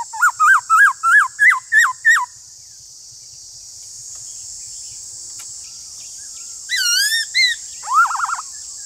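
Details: Black-throated laughingthrush in a singing duel with another laughingthrush: seven quick hooked whistles rising then dropping, a pause, a wavering higher phrase, then a few more hooked notes, with steady background hiss.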